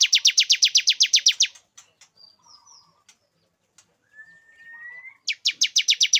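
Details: Male bar-winged prinia song meant to lure a female into breeding condition: a rapid series of sharp, high repeated notes, a quiet interval with faint chirps and a rising thin whistle, then the fast ringing series resumes.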